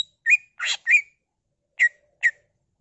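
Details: Greater green leafbird song with mimicked fills: a few short whistled, slurred notes and one harsher rasping note, spaced irregularly with short pauses between them.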